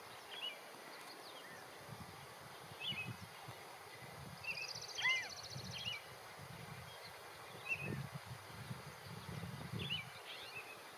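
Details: A male California quail sitting on a fence calls to others in his group: short, sharp high notes at irregular intervals, with a brief buzzy trill midway, over a low rumble of wind or distant traffic.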